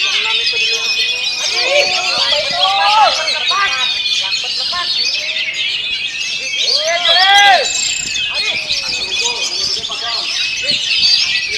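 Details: Oriental magpie-robin (kacer) keeps up a fast, dense rolling stone song in strong wind. The high warbled trills and whistles run without a break, with clusters of lower arching notes near the start and again midway.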